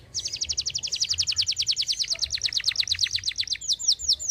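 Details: Canary in full song, kept for training other songbirds: a fast rattling trill of high notes, each a quick downward sweep, repeated about eight times a second for four seconds, slowly lifting in pitch toward the end.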